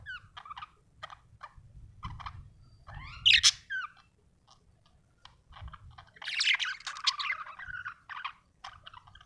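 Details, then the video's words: Pet Australian budgerigars described as happy, giving quiet scattered chirps and warbled notes with a louder burst of chatter near the middle and a dense chattering passage toward the end, over a low indoor rumble. "Happy budgie chirping sound"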